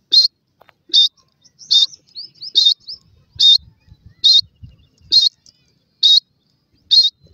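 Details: Grey francolin chicks fighting over grass in a forest: high, thin peeping notes repeated roughly every second in a steady series, with faint low rustling between them.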